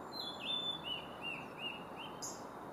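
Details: Male blue-and-white flycatcher singing at Kawaguchiko Field Center, Japan, on 4 May 2017: a run of clear slurred whistles that dip and sag in pitch, about six notes over three seconds, ending in a short harsh burst, over steady low background hum.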